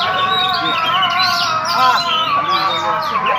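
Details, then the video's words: Oriental magpie-robin of the kind called kacer raja Ampat, singing on a single perch; a dense, busy run of quick chirps and short whistled slurs, over steady low tonal hum. "Kacer main nancep mewah kacer raja Ampat Main di satu tangkringan"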